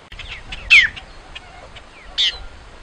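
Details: A great-tailed grackle sings two rasping, broadband notes with a downward-sliding whistle inside, separated by roughly a second and a half of quiet background with a few faint chirps.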